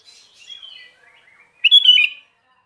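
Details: Sooty-headed bulbul singing vigorously: soft, thin warbling notes fade out, then after a short pause one loud, clear, bubbly phrase of rising and falling whistles lasting about half a second. No other sounds.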